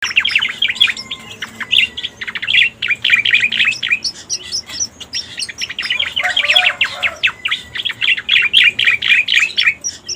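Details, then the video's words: Striated Grassbird (cica koreng) lure recording: rapid, dense chirping notes, roughly four per second, each dropping sharply in pitch, with short bright whistles between them and a faint steady low hum underneath. "Suara Pikat Burung Cica Koreng"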